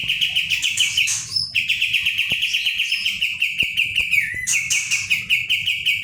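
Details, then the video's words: Caged Pied Triller, a tutor bird singing hard to stir up other birds: dense, fast chattering stream of bright repeated notes around one pitch, with short higher buzzy bursts and a quick downward slur, low background hum throughout. "kapas tembak gacor roll ngebrn nembak.. masteran ampuh pendongkrak emosi burung lain"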